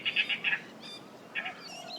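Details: A young Dollarbird, under a month old with a grey bill, begs for food as a parent brings a cicada at Buckleys Hole wetland, Bribie Island, Australia. It gives four harsh, rasping notes, then a pair more after a pause, over faint rustle.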